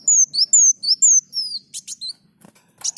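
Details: Olive-backed sunbird singing prolifically, a run of sharp, very high whistled notes, each slurring downward, repeated about twice a second, then breaking into brief buzzy chips and scattered clicks.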